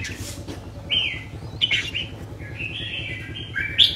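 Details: Red-whiskered bulbul in a cage giving drawn-out whistled notes, some steady and some sliding down, with a sharp chirp in the middle and a bright final note. A low mechanical hum runs throughout.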